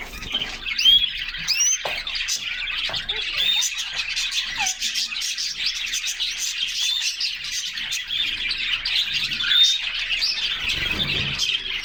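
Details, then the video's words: Caged canaries in summer sunshine, several singing together from inside the cage: a continuous, busy high twitter of chirps and rapid trills, with a few clear whistled notes and light rustling. "Canaries Singing and Playing in Their Cage"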